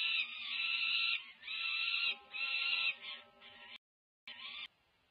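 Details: Peregrine falcon nestlings, over five weeks old and close to fledging, crying for food at a feeding, UC Berkeley nest cam, May 2023: a run of harsh, buzzy wails about a second each, a short silence, then one more.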